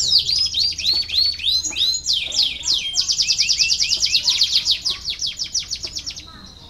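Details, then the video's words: Canary song meant to stimulate lazy canaries to sing: quick descending sweeps and varied notes run into a long series of fast, rhythmic, repeated chirps that gradually fades toward the end. "KENARI BELAJAR BUNYI UNTUK MERANGSANG BUNYI- pancingan kenari malas bunyi"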